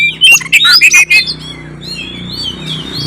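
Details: Oriental magpie-robin in 'gacor' song: a quick cluster of loud scratchy, squawking notes in the first second, then fainter thin whistled phrases over a low background hum.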